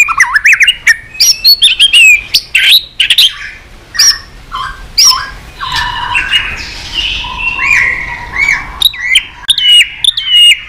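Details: White-rumped shama singing excitedly with tail flicking, many varied phrases: rapid whistled notes, sweeping rising and falling slurs and harsh chattering bursts, dense and continuous.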